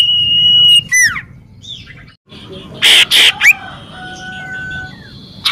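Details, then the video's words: Common iora singing vigorously, used as a lure to prompt other birds: a held high whistle, quick down-slurred notes, two harsh rasping bursts, then more drawn-out whistles. "cipoh gacor"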